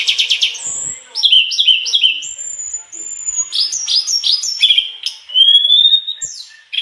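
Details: Mangrove blue flycatcher singing energetically and showing off its full repertoire of learned phrases: bright whistled notes, a quick run of repeated descending slurs, long level whistles, and rising sweeps in a varied, continuous flow.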